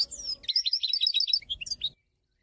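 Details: Goldfinch twittering: a quick run of bright, liquid chirps lasting under two seconds, opening with a high downward slur and ending in scattered tinkling notes.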